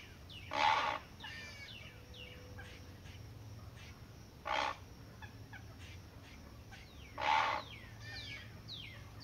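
A great blue heron gives three harsh, guttural croaks spaced about three seconds apart, each rough and brief, over faint chirping songbirds.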